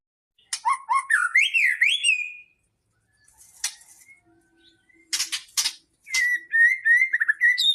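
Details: White-rumped shama song meant to stir other shamas: a rich, rising and falling whistled phrase, a pause with faint notes, then sharp burst notes and a rapid series of high whistles.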